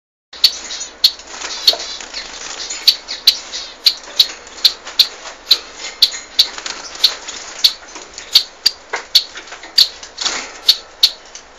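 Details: Bengalese finches, also called society finches, singing: a steady series of short, bright, high chirps and clicks repeated roughly every half second, with faint rustling between notes.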